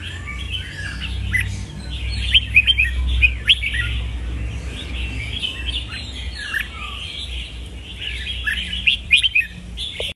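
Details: Red-whiskered bulbul with rapid, busy chirping and warbling throughout, over a steady low rumble of background noise.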